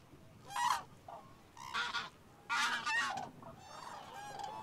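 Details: Common cranes, about 200–300 feeding in a maize stubble field in evening light at Darß, Mecklenburg-Vorpommern, on a migration stopover, give loud, brassy trumpeting calls in several overlapping bursts, about half a second each, with fainter calling from others behind.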